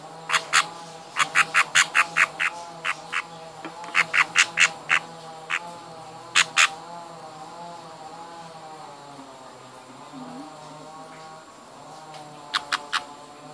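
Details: Hand-feeding of baby budgerigars: clusters of short scratchy begging squawks in the first seven seconds, then a long quiet stretch with steady hum, and a final brief burst of calls.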